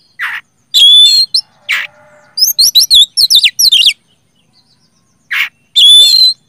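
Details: Oriental magpie-robin (kacer) in full, loud 'gacor ngeplong' song, used to spur quiet magpie-robins into singing: harsh buzzy bursts, then a rapid run of sweeping, rising and falling whistled notes, ending in a long warbled whistle.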